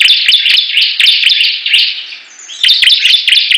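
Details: Bar-winged prinias singing in competition, a loud fast series of buzzy high chirps repeated several times a second, pausing briefly before resuming.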